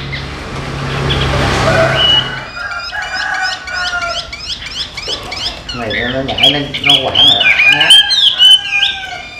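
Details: Trained pet Chinese hwamei in western Vietnam. A man speaks at first, then the bird breaks into quick, varied chirps and whistled slurred notes that grow louder and denser toward the end.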